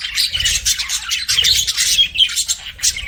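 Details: Pet budgies chattering together in a dense, continuous stream of scratchy, high chirps and squawks, with rapid warbled notes overlapping without pause.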